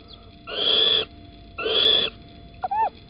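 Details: Little owl at Holten on 9 April 2020 around 07:10 in the morning, as the male brings an earthworm: two harsh, hissing, wheezy bursts about half a second each, followed by a brief thin whistle.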